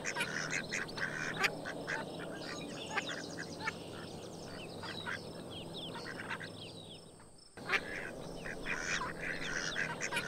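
Many ducks quacking and chattering together, a dense overlapping din of harsh nasal calls with a brief lull near the end.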